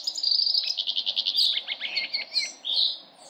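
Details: Hooded siskin singing a rapid, high twittering trill of rhythmic pulses, then chattering notes and a short sweet whistle at the end.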